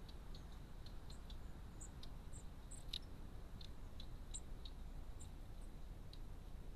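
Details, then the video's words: Long-tailed tit at a garden bird feeder giving thin, very high, brief notes and ticks scattered through the clip, over a steady low rumble. "Long-tailed tit"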